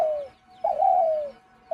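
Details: A caged Spotted dove, kept as a hunting decoy, gives its "jhumur" call: low, soft cooing notes, a short coo followed by a longer drawn-out one, with the start of another.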